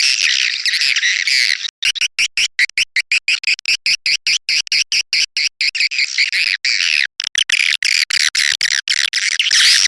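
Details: Edible-nest swiftlet call used to lure swiftlets: dense, high chittering trills in rapid pulsed bursts, broken by many brief silent gaps, continuous and loud throughout.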